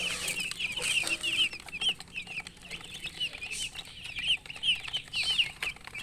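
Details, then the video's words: Chicks peeping steadily, short high chirps with falling tails repeated irregularly over a faint low background hum. "Baby "Chicks Chirping" Sound"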